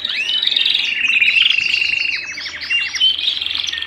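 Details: Canary singing at home: a dense, continuous warble of rapid trills and chirps, with fast repeated notes sliding downward in quick series and bright whistled phrases, all high-pitched.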